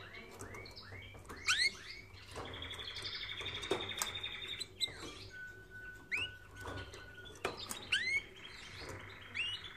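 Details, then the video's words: Canary song for training birds: quick repeated rising chirps, a high buzzy trill, a long pure whistled note and more upswept chirps, lively and varied, with a faint low hum behind. "Canary Singing Video | The Best Canary Training sound"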